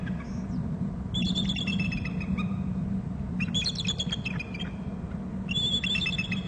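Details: Two bald eagles calling together at a nest and territory on Hornby Island, one arriving from inland: three bursts of high, thin, stuttering piping notes with rapid chittering, over a steady low rumbling hum.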